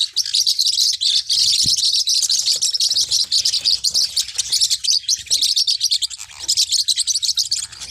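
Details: Forpus parrotlets, small hook-billed parrots, giving a continuous stream of dense, high, overlapping chirps and tweets with scarcely a pause, plus a few faint low knocks.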